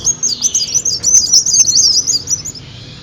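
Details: A short, dense burst of very high, rapid twittering from an olive-backed sunbird, played as a lure to attract birds, fading out after about two seconds.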